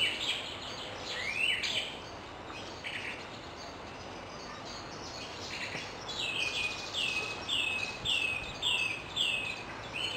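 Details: A Eurasian oystercatcher foraging for worms, probing the ground and pulling them out with its long beak, gives shrill, down-slurred piping calls: a few scattered notes, then a quick run of about seven, over steady hiss.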